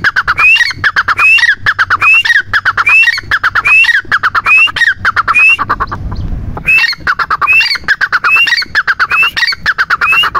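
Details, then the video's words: Repeated partridge (teetar) calls: an upslurred whistle then a quick rattle of harsh clicks, coming in a steady rhythm, with a brief break around six seconds filled by a low thump before calling resumes. "Teetar ki awaaz"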